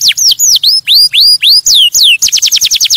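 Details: Canary singing to stimulate other birds, six clear rising whistled slurs about twice a second, then a rapid run of short falling notes.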